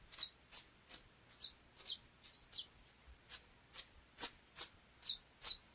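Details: Canário chapinha, the saffron finch, giving a series of loud, clipped, downward-sliding chirps at a brisk, somewhat uneven pace, about two to three per second, with a quiet background.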